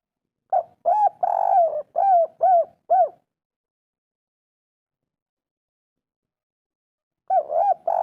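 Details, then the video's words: Spotted dove kuk 3 call, played to lure silent birds into calling: a run of arched, mellow coos with one long drawn note, then four seconds of silence before the phrase starts again. "masteran derkuku tekukur kuk 3 atasi burung malas bunyi langsung nyaut"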